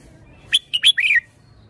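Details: Red-whiskered bulbul, praised for fine phrasing and style, delivers one quick song phrase: a sharp clipped note, two bright whistled chirps, then a fuller warbled slur dropping at the end, over a quiet low hum.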